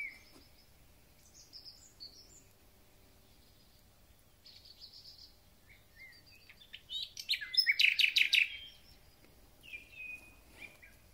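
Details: Thrush nightingale at the start of spring: scattered soft whistles and pauses, then a loud dense chattering burst, followed by fading slurred notes.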